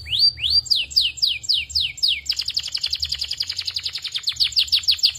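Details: Belgian canary singing vigorously: sweeping whistled notes that rise then drop, repeated about four per second, shifting abruptly into a fast, dense trill of short high notes; faint low hum underneath.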